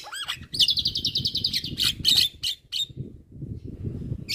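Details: Javan myna tutor recording: a rising slurred whistle, a fast rhythmic trill, harsh squawking bursts, then quieter low rumbling noise.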